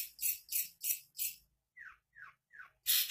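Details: Long-tailed shrike (Lanius schach), East Java type, sings mimicry including the cucak ijo and the kapas tembak: four harsh, scratchy bursts, then three quick, down-slurred whistled notes, and another harsh burst at the end.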